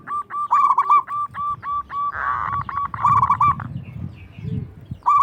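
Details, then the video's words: A local zebra dove, kept to lure other doves into singing, gives loud bursts of rapid, clipped cooing notes, strung together with a short rolling phrase midway, over a low background rumble. "PERKUTUT LOKAL GQCOR SUARA BESAR LANTANG BIKIN EMOSI LAWAN NYAUT"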